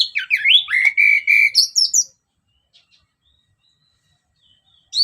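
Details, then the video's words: Orange-headed thrush song meant to provoke other birds: a dense two-second run of varied whistles, mimic-like slurred notes and steady held tones, then near silence. "Kicauan Anis Merah Bikin Emosi Dan Gacor"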